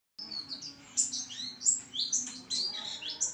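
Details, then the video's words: White-eye (pleci) singing vigorously: a fast, high twittering stream of short sweeping and slurred notes, rising and falling without pause, with a faint low hum underneath. "pleci gacor"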